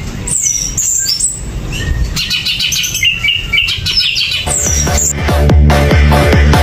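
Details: Greater green leafbird (cucak ijo) singing in a restless, agitated state, no cage cover: bright whistled slides and quick chirps, then denser chattering, with low rumbling and clicking noise underneath.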